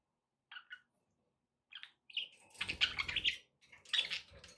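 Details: Pet budgies chirping: a couple of brief warbled notes, then a loud, dense burst of raspy chattering mixed with some knocking, and a final chattering run.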